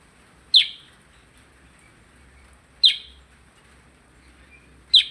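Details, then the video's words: Percang bird in full, vigorous song, giving three loud, sharp, high chip notes about two seconds apart against a quiet background. "Burung percang gacor"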